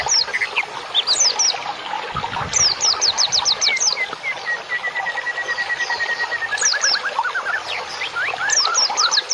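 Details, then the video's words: Cage-bird therapy song: clusters of five or six fast, high descending whistles alternate with a long, even, level trill and lower rising notes, over a soft background of running water. "MASTERAN INI BUAT TERAPI BURUNG"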